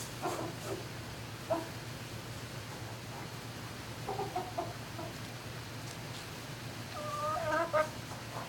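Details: Barn turkeys calling at night in May 2018: faint scattered clucks and short notes, followed by a louder quavering harmonic call near the end, with a constant low hum behind.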